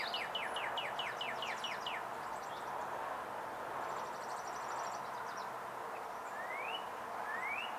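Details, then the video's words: Male Northern Cardinal in Onslow County, North Carolina, 4 April 2015, opens with a rapid run of about nine downslurred whistles, pauses, then gives two rising slurred whistles. A high, dry trill from Blue-gray Gnatcatcher or Chipping Sparrow sounds between. "Northern Cardinal singing"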